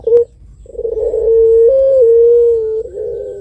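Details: Barbary dove bred for contests, pelung long-voice style used to provoke emotion: a short coo note and a brief click, a pause, then a long sustained coo with small upward and downward steps in pitch.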